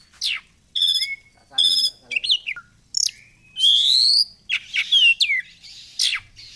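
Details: Oriental magpie-robin from Indonesia, a popular songbird, in a recording used as a lure to make it fan its tail: loud bursts of harsh, buzzy chatter mixed with sharp whistled slurs and rattling notes, separated by short pauses.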